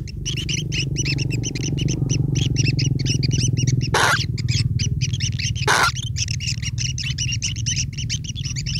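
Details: Begging long-tailed shrike nestlings waiting on a parent bringing food: rapid rasping chatter of many chicks, rhythmic harsh notes, with two loud broadband bursts midway and a low steady rumble beneath.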